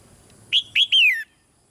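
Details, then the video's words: Caged female red-whiskered bulbul calling softly to stimulate a male to sing louder; one quick phrase of three clear whistled notes, the last slurring downward, over quiet background. "นกหัวจุก birds - นกตัวเมียร้องเบา ๆ ในกรงเรียกนกตัวผู้ให้ร้องแรงขึ้น"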